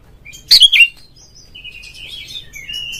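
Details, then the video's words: Oriental magpie-robin, caged, song played to goad a rival; one short loud burst of twisting chips followed by quieter, drawn-out thin whistles fading away. "suara pancingan burung Kacer agar CEPAT GACOR FULL buka ekor dongkrak EMOSI"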